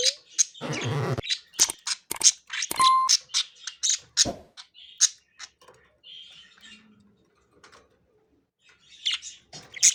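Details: Pet budgerigars, three playing together indoors, chatter in irregular high chirps and squeaks, with a noisy rustling burst at the start, a brief pure tone, and a quieter lull before the chirping resumes.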